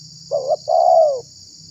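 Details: One spotted dove phrase for luring wild doves: a short quavering note, then a longer warm coo that slowly drops in pitch, with a faint low rumble and steady high hiss.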